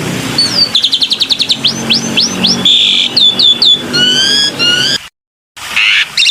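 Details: Black-winged myna sound used to lure birds into singing: a rapid series of rising whistled notes, a buzzy burst, then descending slurred whistles, broken by a brief silence before the chatter resumes.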